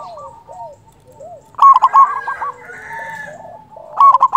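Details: Local zebra dove with a big voice, used as a trapping lure: soft warbled coos, then a loud rolling coo phrase, answered by overlapping cooing and another loud burst at the end.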